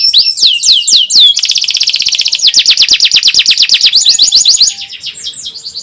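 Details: Canary singing a lure song meant to teach young canaries and get quiet birds to respond. Looping high whistled notes lead into a long, loud, rapidly repeated trill of sweeping notes that fades near the end.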